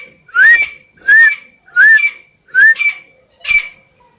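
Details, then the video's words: Partridge giving five evenly spaced calls. Each is a harsh, raspy note with a clear whistled rise and fall, repeated about every two-thirds of a second, with quiet between calls. "Teeter Ke Awaz | teeter sound"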